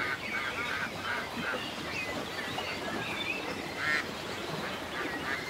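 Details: Ducks by a lake on a peaceful country day, giving short nasal quacks in loose runs of three or four through the first half and again near the end, over steady background hiss and a chorus of chirping songbirds.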